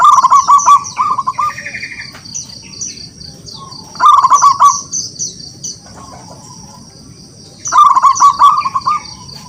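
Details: Wild local zebra dove singing repeatedly to lure rivals into song: three bursts of rolling trilled coos spaced roughly every four seconds, with other birds chirping high and thin in between.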